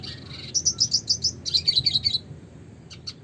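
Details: Red siskin (Spinus cucullatus) delivering a crisp rhythmic trill of high, evenly spaced notes, roughly six per second, shifting into a second buzzier series before falling quiet with one last chip.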